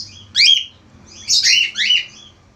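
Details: Actively singing male budgerigar gives one sharp falling chirp, then a longer run of three scratchy, overlapping downward-sweeping notes.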